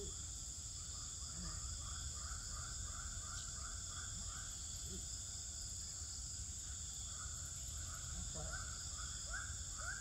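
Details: Swiftlets inside a swiftlet house in Pekanbaru, Indonesia, day twelve: bursts of rapid, rising chirps, a pause, then scattered sharper chirps, all over a constant low hum.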